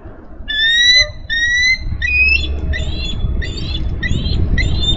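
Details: A female bald eagle on a Minnesota nest, filmed by nest cam on 3 May 2013, calls for her mate to relieve her from nest duty: a series of thin, high whistled notes, the first ones long and level, then shorter chirps with a low background rumble.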